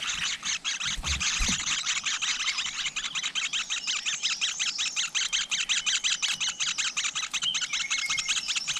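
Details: Flowerpecker nest with young, filmed close in nature: continuous rapid, high chipping notes repeated almost three times a second, with a couple of low thumps early on and a brief thin whistle late.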